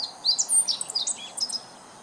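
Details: A meadow bunting sings on 19 July 2014 as though calling to its neighbours: a quick, high, varied string of chirps and short trills lasting under two seconds.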